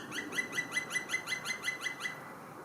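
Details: A black woodpecker in Switzerland gives a rapid, even series of about a dozen ringing 'kwi' notes, five or six per second, with a faint hiss behind.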